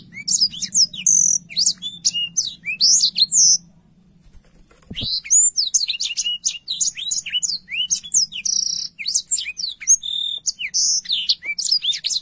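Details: Black-throated canary in full, clear song, used as a tutor for young canaries. Two long phrases of fast, high, darting whistles and chirps are split by a short quiet gap with a single click. A soft low drone sits in the background.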